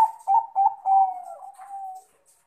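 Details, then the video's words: Calling male zebra dove, crossbred Bangkok type, addressing a rival: three quick stuttering coos lead into a long, smooth, slowly falling note. "Perkutut jantan Memanggil Lawan"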